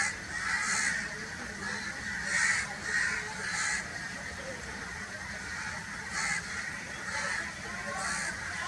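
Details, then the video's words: Repeated rough, grating crow caws, several in quick succession and then after a pause, set against steady hissing background noise. "crow noises sounds"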